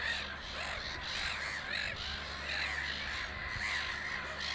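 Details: Black-headed gull resting and preening between bouts of nest building at Lake Hornborga, Sweden; harsh, arching squawks repeat in quick overlapping succession over a steady colony din with constant low background rumble.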